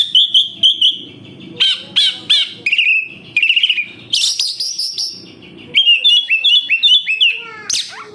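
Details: Oriental magpie-robin in captivity sings a lure song: short repeated chirps in clusters, a buzzy trilled phrase, then a series of rising whistled notes.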